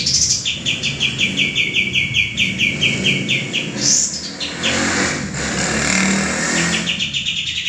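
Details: Male common iora song for training cage birds: a quick series of high repeated chirps and a sharp rising note, then passing vehicle noise largely masks the bird.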